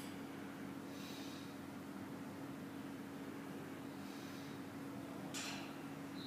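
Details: Steady broadband rushing noise like a passing vehicle, with a constant low electrical hum and a few brief hissing bursts.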